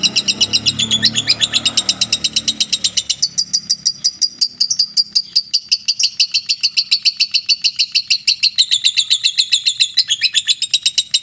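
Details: Lovebird of the mentil type delivering a long ngekek, a fast high chattering trill running the whole time, with some low rumbling noise in the first three seconds.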